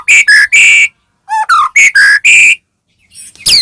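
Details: Loud white-rumped shama song used to provoke rival shamas into singing, delivered as a series of strong whistled and harsh bursts in quick succession, with a brief pause before a final slurred note.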